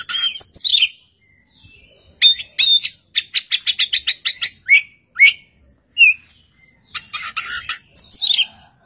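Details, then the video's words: Oriental magpie-robin song in a duel with a second magpie-robin that replies: sweet descending whistles, then a fast regular series of sharp clicking notes, isolated clear whistles and a closing burst of scratchy chatter. "kacer gacor satu titik nembak bikin kacer lain langsung nyaut"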